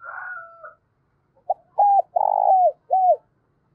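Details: A higher, drawn-out call opens, then after a pause a spotted dove coos its morning flock-calling phrase: a tiny note, a clipped coo, a long purring coo and a final downslurred coo, in quiet surroundings.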